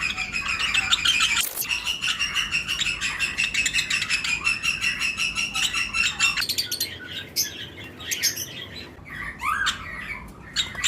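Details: Flight-cage lovebirds in breeding season, mixed with other birds: a rhythmic chorus of repeated sharp chirps for six seconds, then sparser calls with a few rising squeaky notes.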